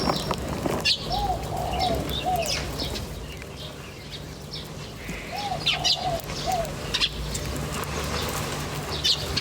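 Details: Birds chirping in nature, with short high chirps scattered through the clip and a few soft arched notes near 700 in two repeated groups, over a steady low hum.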